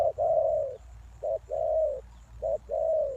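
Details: Spotted dove used as a lure for wild doves, giving hollow low coos: a brief note then a long, level, mellow note, three such phrases in quick succession.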